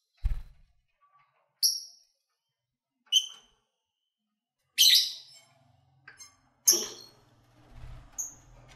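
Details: Pet lovebirds calling while eating and playing: single sharp, high chirps roughly every one to two seconds, some buzzy, with occasional low thuds and a faint hum.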